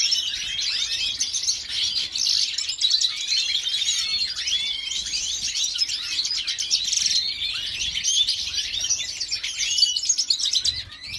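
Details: Twittering song from a breeder's white-headed mutation female European goldfinch in Jordan: rapid, jumbled high chirps and tinkling notes, unbroken, with small upward slurs.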